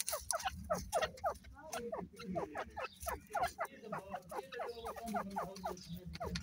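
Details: Grey francolins in breeding season producing a continuous stream of short, hooked clucking notes from several birds at once, crowded and rapid, with low rumbling background noise.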